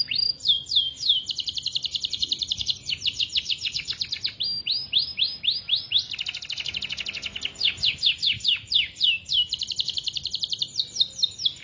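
A canary sings a long, rapid song of bright rolling trills and sweeping whistled notes, phrases repeating several times a second with barely a pause.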